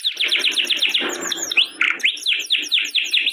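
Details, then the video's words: Canary song used as tutor song to prompt a caged canary that has stopped singing or is moulting: fast series of high downslurred whistled notes repeated about five per second, broken by a few swooping notes midway. "kicau burung kenari"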